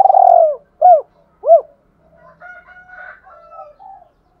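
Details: Spotted dove decoy call used to provoke wild doves into answering quickly: a long, loud rolling coo followed by two short arched hoots, then fainter, steadier tones from another bird in the background.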